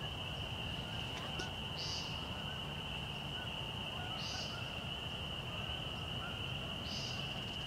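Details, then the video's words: Evening peenting of an American woodcock in March near Fresh Pond parking area, Delaware Seashore State Park: brief nasal buzzy notes repeated roughly every two and a half seconds, three in all, with a constant high whine and faint background rumble. "Woodcock Peenting and sky dancing"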